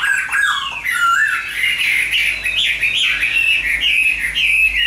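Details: Chinese hwamei kept in a cage delivers continuous fluid whistling, looping up and down in rapid warbled phrases, loud and close, with no other sounds intruding.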